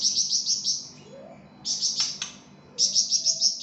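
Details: Flamboyan in a gacor, actively singing state, recorded as masteran tutor audio: bursts of rapid, very high, bright chirps that repeat in quick runs, separated by short pauses and a few sharp single notes.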